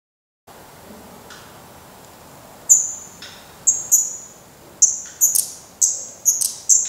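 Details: Black redstart fledglings at a nest in Portugal, still downy on the head, having tried first flights and still fed by their parents; after a quiet start, thin high whistled calls come in quick bursts, about ten notes over four seconds.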